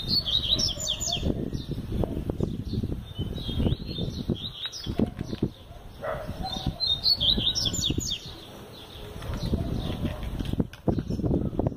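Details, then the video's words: A double-collared seedeater, said to sing all year round and used as a teaching song, gives bursts of high, quick twittering phrases, one near the start and another about seven seconds in, over heavy low thumping and wing-flutter noise. "Coleiro 365 Cantando Muito Este Coleiro Canta O Ano Todo!!!"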